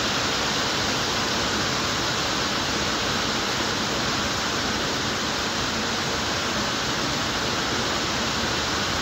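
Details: Constant rushing hiss, like falling water or strong wind, covers everything, with no calls breaking through.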